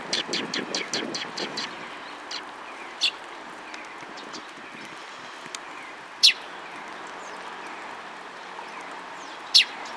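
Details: Sparrows calling, recorded on the afternoon of 31 March 2022 at a waterside bridge in Japan: a quick burst of high chirps at the start, then single sharp chirps spaced several seconds apart over steady background hiss.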